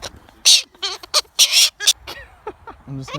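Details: Pet Galah screaming while happy and excited: a string of short, harsh, raspy screeches at uneven intervals, some with wavering tones, mixed with a person's speech between bursts.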